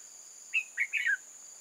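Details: Decoy red-whiskered bulbul at a trap, 8 October 2018, gives a single quick phrase of clear, slurred notes stepping downward, over a high steady insect hum.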